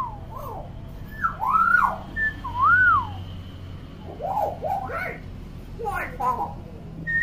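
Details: Constantly vocal common hill myna gives arched, looping whistles, a short level note, then rougher, noisier calls with quick upward sweeps. A steady low hum runs behind.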